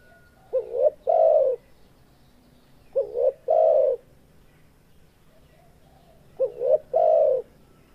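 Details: Spotted dove cooing, a call said to rile up other spotted doves that hear it: three soft, low hooting phrases, each a short double note followed by a longer drawn-out coo, spaced about three seconds apart.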